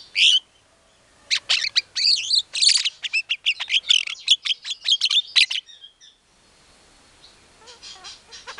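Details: White-rumped shama lure song played to provoke an angry reply: an opening loud note, then a fast dense burst of buzzy, rasping and warbled notes lasting about four seconds, trailing into faint distant twitters.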